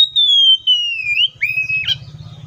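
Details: Oriental magpie-robin giving one long pure whistle that slowly glides downward, then a brief upturned note, a lower whistle and a scratchy flourish, over a faint low humming drone.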